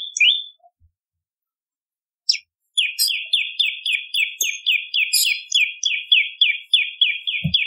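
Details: Bar-winged prinia in full song, used as a lure and as tutor song for magpie-robins, green leafbirds and cungko: after a short note and a pause, a long, steady chain of clipped downslurred chirps, about three and a half a second, ending with a soft thump.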